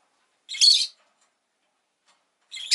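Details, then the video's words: Rosy-faced lovebird giving a harsh, buzzy, high-pitched chirp lasting under half a second, then a pause and the start of another rasping call. "Lovebird Chirping Sounds"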